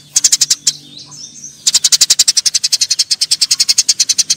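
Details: Eurasian tree sparrows in a fight. A few harsh high chirps and a brief lull lead into a steady, rapid run of nearly thirty chirps at about seven per second.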